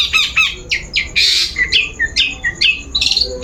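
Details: Lure song of a long-tailed shrike for prompting a bird to sing: harsh, buzzy bursts mixed with sharp descending chirps and a loud rasping note, delivered in quick irregular succession.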